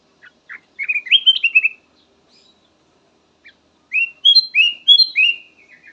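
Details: Song of a black-naped oriole in a soothing variety of phrases: two rapid runs of bright whistled notes, each note sliding up or down, separated by roughly two seconds of silence.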